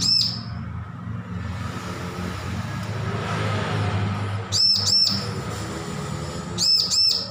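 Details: Bar-winged prinia fledgling, newly off hand-feeding, rehearsing song: a high arched note at the start, then two separate bursts of two ringing chirps each, over continuous low rumble.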